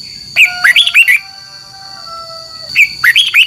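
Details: Red-whiskered bulbul's morning fighting song with long double notes: two quick warbled phrases with a pause between, long thin steady whistles sounding in the background.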